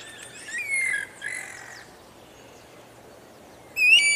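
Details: Anu-branco, the Guira cuckoo, gives a pair of strained, rising whistled notes early on. A quieter, fainter stretch follows, then a sudden loud upward-sliding whistle near the end, over soft steady background noise.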